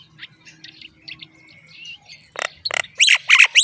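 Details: While their mother delivers moringa, young common mynas start with soft thin chirps and a drawn-out whistle, then erupt into loud, rasping begging squawks that grow more intense toward the end.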